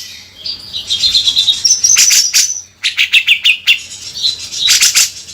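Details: Cucak jenggot, the bearded bulbul, in lively beset kasar song: high whistled phrases at the start, then runs of rapid harsh chattering notes, a short pause, and more chatter.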